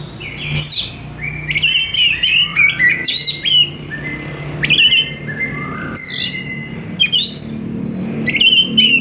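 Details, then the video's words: Oriental magpie-robin in lively, quick-responding song: a long, busy stream of clicky, scratchy and whistled notes, many swooping down to sustained tones, with a low hum underneath. "KACER BUNYI GACOR TANPA REPOT , CEPAT NGERESPON"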